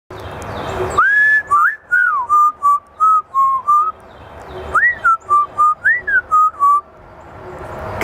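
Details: A female pet African grey parrot showing off her vocabulary of some 200 sounds on request gives two clear whistled phrases. Each is a rising swoop followed by five or six short, even notes at a steady mid pitch.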